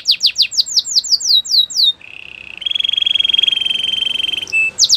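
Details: Belgian canary delivering quick descending slurred notes, switching to a low buzzy roll, then a higher vibrating roll, a brief pure whistle, and a return to swept notes.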